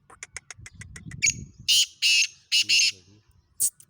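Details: Black francolin calling in Khushab: a run of rapid dry clicks, then loud harsh grating notes in a broken sequence of four bursts, with low murmuring noise underneath.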